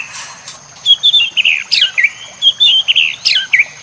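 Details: Short whistled phrases from a White-rumped shama, recorded to train other shamas and set over nature sounds and running water: clear slurred whistles broken by sharp high chips, with a faint steady high tone.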